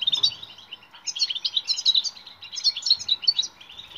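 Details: Loud European goldfinch song for coaching silent birds to sing: rapid, rippling twittered phrases of bright tinkling notes, delivered in quick successive bursts.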